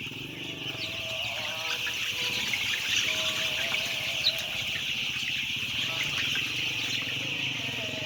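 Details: A huge flock of white chicks: steady, high-pitched massed peeping that never pauses, over low rumbling noise and faint voices.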